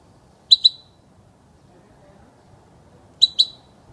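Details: European goldfinch recorded for teaching chicks to sing: a quick pair of high, sharp chirps, then a matching double chirp almost three seconds later, with quiet low background hum between.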